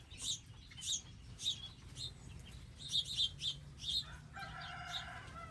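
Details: Several wild birds at a garden area with bird feeders, seed and water give quick, high chirps in clustered pairs and triplets. A sustained layered tone starts late, over a steady low hum.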